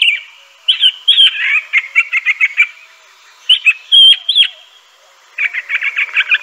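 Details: Varied song of a Crissal thrasher: warbled phrases and fast stuttering note series, with pauses between bursts.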